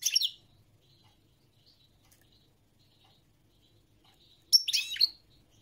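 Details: European goldfinch song: two short bursts of bright, tinkling twitters and trills, one at the start and one near the end, with quiet in between.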